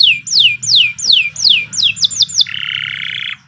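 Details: Canary of the Kenari Nusantara type singing a tutoring song: six clear downslurred whistles about three per second, a quicker run of short sweeps, then a dense buzzing trill.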